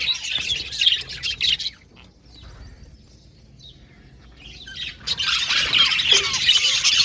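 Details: Dense budgerigar chattering starts and stops abruptly; a burst of high tweeting in the first second and a half, then near quiet with faint notes, then the full chirping chorus returns from about five seconds.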